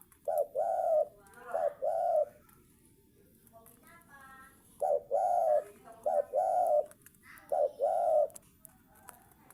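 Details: Spotted dove cooing in paired short and long notes, two bursts separated by a pause, with faint voices and background hiss in between.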